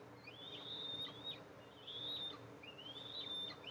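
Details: Eastern imperial eagles at their nest, in July, as the mother arrives to feed her two eaglets. Thin whistled notes slur upward and then hold level, in three drawn-out calls over a faint steady hum.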